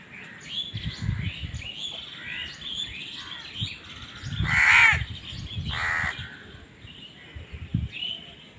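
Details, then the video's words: Two strong, harsh crow caws stand out, with thin chirps from other birds throughout and background rumble, as crows fight for food. "Crow Bird Crowing Sounds"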